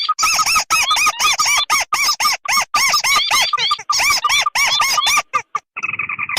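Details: Crake lure call combining tikusan merah and tikusan putih: a fast, steady train of loud arched squeaky notes, ending with a short sustained buzzy tone.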